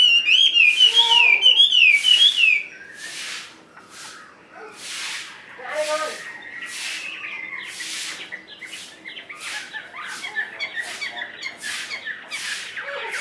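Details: Chinese hwamei in a carried cage opens with loud, rapid zigzag whistles for about two seconds, followed by repeated rushing bursts and scattered faint notes.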